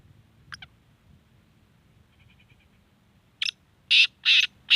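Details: Black francolin in Sindh, Pakistan, giving loud, harsh, grating notes: a faint pair early, then four strong rasping bursts in quick succession near the end over a quiet low rumble.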